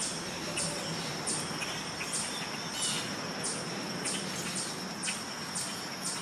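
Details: Common starling in fall giving short, sharp, high chirps, repeated roughly twice a second over a steady background hiss and a thin high tone.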